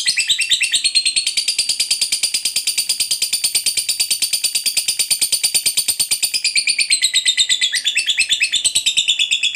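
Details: Long continuous ngekek chatter from a lovebird, a song meant to prompt other lovebirds to sing: unbroken harsh, buzzy high-pitched chattering with steady rapid pulses for the whole stretch, shifting slightly near the end.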